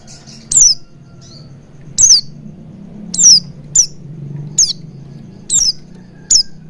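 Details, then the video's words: Used as a lure for Oriental white-eye to sing and open its beak fully: seven high, steeply falling chirps at irregular intervals over a steady low hum. "Pancingan Burung Pleci Agar Cepat Ngalas & Buka Paruh Maksimal"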